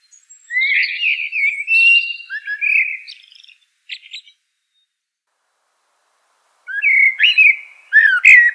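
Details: Common blackbird singing two mellow, fluted warbling phrases that end in thin high twitters, separated by about three seconds of silence against a clean, quiet background.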